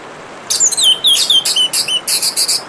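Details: Orange-headed thrush song over running water: a quick string of downslurred whistles followed by a run of evenly spaced sharp high notes.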